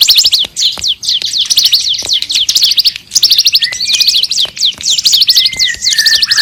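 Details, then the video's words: Energetic bar-winged prinia song used to train other songbirds: dense bursts of thin, high, sweeping chirps in quick clusters, with a few drawn-out whistled notes sliding across lower down. "Masteran Burung Ciblek Super Gacor"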